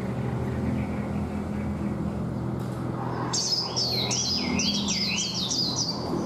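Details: A wild-caught caged Chinese hwamei, kept about a month and prompted to sing, bursts into loud, rich song halfway through: rapid slurred whistles rising and falling in quick varied phrases, over a low background rumble.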